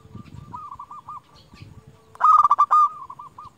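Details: Zebra dove, a local champion lure bird meant to stir rivals. Soft, rounded coo notes in a slow series lead into a loud, fast rolling burst of cooing. That burst then eases back into spaced, gentle coos.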